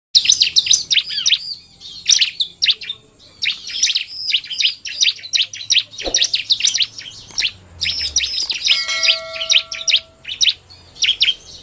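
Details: Bar-winged prinia song, male in 'narung' style combined with a fast-singing female: dense runs of sharp, bright chirps at a high pitch, overlapping and nearly continuous for almost twelve seconds, with brief gaps and a faint low hum underneath.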